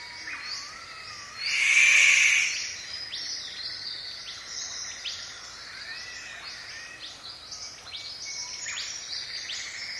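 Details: Paradise riflebird inside rainforest in the morning, giving a loud call: a single harsh, rasping burst lasting about a second, over a dense chorus of high chirps and thin whistles from other forest birds.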